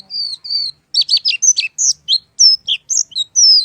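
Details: Oriental white-eye (pleci) in full song: high, thin twittering notes and short whistled slurs, quick chirps clustered in bursts with brief pauses, no other sounds.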